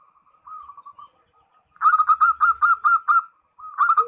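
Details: Zebra dove singing vigorously to call a rival: quiet soft coos first, then a loud staccato run of about nine rolling notes, a short pause, and another fast phrase starting.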